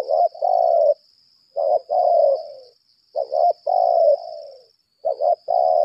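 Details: Laga contest calls of a 'lambung kuk' decoy spotted dove: four low throaty phrases, each a quick double note and then a long coo trailing off, spaced about 1.5 seconds apart. Steady high tone throughout.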